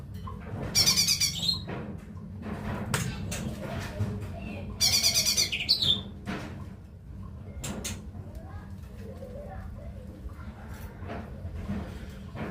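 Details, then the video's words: Cucak ijo mini leafbird giving two short, fast, high trilled phrases a few seconds apart, each ending in a sliding whistle. Clicks and knocks are scattered through a steady low rumble. "suara cucak ijo mini"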